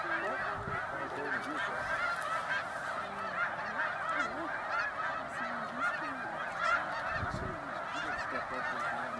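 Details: Huge flock of snow geese roosting at sunset on a 300-acre lake at Middle Creek Wildlife Management Area, Pennsylvania, USA; dense, continuous chorus of overlapping nasal honks and yelps, steady throughout with no pauses.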